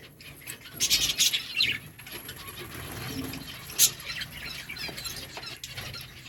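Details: Breeding colony of lovebirds: a burst of sharp, high chirps in the opening two seconds, then quieter scattered chatter and a single loud click.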